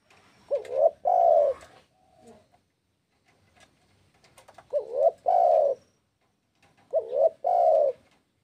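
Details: Spotted dove call meant to draw rival birds into answering, with three mellow phrases about every three seconds. Each phrase has a brief upward-bending note followed by a drawn-out, slightly wavering coo, then near silence between phrases.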